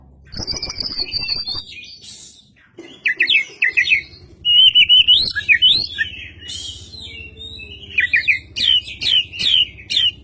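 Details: Oriental magpie-robin singing as a lure, tail spread: bursts of quick chips, then loud, looping whistles rising and falling, ending in repeated sharp whistled phrases.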